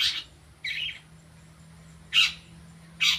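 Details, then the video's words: Long-tailed shrike learning its sounds: four short, harsh, raspy bursts at uneven intervals, the last two louder and sharper, with a faint low hum beneath. "cendet belajar bunyi"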